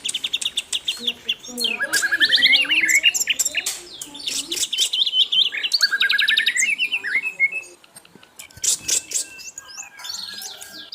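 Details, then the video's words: Asian brown flycatcher singing actively, recorded as a tutor track for training songbirds: a dense, fast run of high chirps, rising whistles and trilled notes, with varied phrases tumbling over each other almost without pause. "MASTERAN BURUNG SIKATAN LONDO GACOR"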